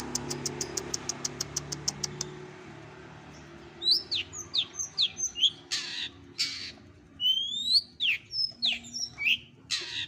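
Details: Training compilation of bird sounds for contest songbirds: a fast even series of tiny ticks, a pause, then loud, shrill, downslurred squeaky calls repeated in bursts.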